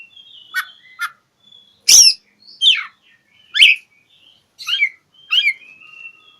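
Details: Oriental magpie-robin song aimed at finding an opponent, a lure to rouse mute birds: sharp high clicks, loud rasping downward notes about once every second, and thin whistled tones trailing off at the end.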